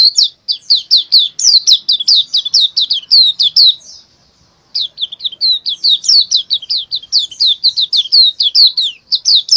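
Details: Loud, continuous high-pitched chattering of an Oriental white-eye, used as a lure for lovebirds that won't sing. Rapid slurred chirps run on with one brief pause near the middle.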